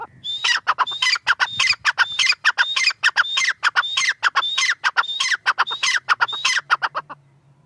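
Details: Tetar (partridge) giving rapid, rhythmic calls for about seven seconds. Each phrase combines scratchy chattering notes with a clear whistle that rises sharply, and the series repeats steadily before stopping abruptly. A faint low hum remains.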